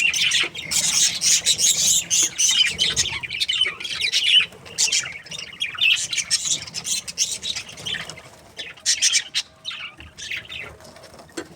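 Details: Happy budgerigar pair in breeding, chattering in uneven bursts of harsh squawks and rasping chirps, pausing briefly between phrases, with softer scratchy notes trailing off.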